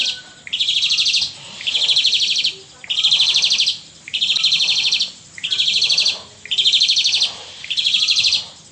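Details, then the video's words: ['Asian pied starling singing in the pumping style: loud, harsh buzzy bursts, each about a second long and repeated roughly every 1.3 seconds, six in a row.'] "Jalak Suren Gacor Gaya Memompa"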